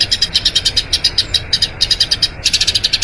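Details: Eurasian tree sparrow giving a long rolling song, kept as a master recording for training other birds; bright high chirps repeat rapidly, about seven a second, broken by two short gaps.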